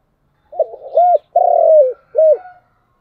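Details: Spotted dove in chiêu and thúc cooing style, delivering one mellow phrase: a quick wavering opening, a rounded coo, a long sustained vibrating note sinking at its end, and a brief closing coo.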